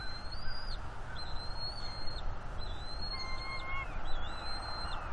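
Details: Juvenile bald eagle mantling and protecting two fish from its parents on the nest, April 19, 2021: fairly quiet high whistled chitters in short runs, plus a brief lower tone, over background wind hiss.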